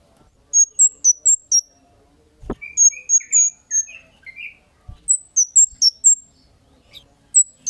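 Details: Kemade chirping as a lure meant to draw responses from other birds: bursts of high, sharp chirps alternating with a few lower, scratchy notes, plus an isolated click or knock.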